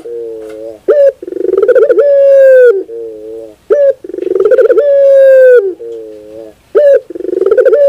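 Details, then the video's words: A Barbary dove (puter bird) repeats its coo sequence about three times, each with a low trembling hoot, a sharp rising note, a rapid rolling burst and a long level coo. "sound therapy is only 5 minutes your puter bird will definitely sound"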